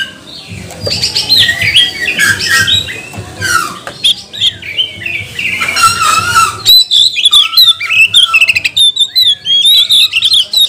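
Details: Male oriental magpie-robin song used to provoke other magpie-robins to sing: a loud varied outpouring of sweet whistles, rapid chatters and scratchy notes, with sharp high phrases repeating quickly toward the end.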